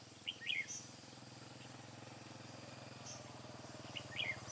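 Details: Decoy red-whiskered bulbul at a trapping site in Hòa Bình forest, Vietnam, 2/5/2017, giving brief lively warbled phrases near the start and end, with a steady low engine-like hum throughout and a few thin high chirps.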